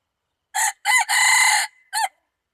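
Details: Red junglefowl rooster crowing, recorded 24 February 2019: a loud, harsh crow in four bursts, two short opening notes, a long sustained middle note, then a brief closing note, in otherwise silent surroundings.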